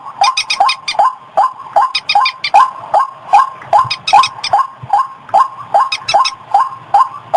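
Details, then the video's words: Lure call of a white-breasted waterhen, used to bring birds in at paddies and rivers: rough, repeated croaking at an even quick tempo, mixed with many bursts of thin, fast, high ticking notes. "suara pikat burung ruak-ruak"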